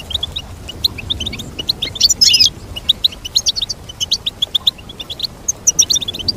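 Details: Goldfinch twittering song of quick repeated chirps, with a brief louder buzzy burst near the middle, then crisp evenly spaced notes to the end.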